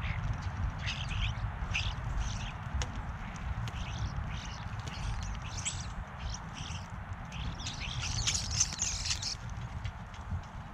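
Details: Several European starlings at a backyard bird feeder give harsh, squeaky chatter in quick bursts that build toward the end, over a steady low rumble of wind or traffic.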